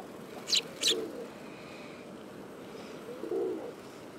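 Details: Eurasian tree sparrow in autumn, recorded 18 September 2013: two short, sharp high chirps in quick succession near the start, then a soft low murmur of background noise.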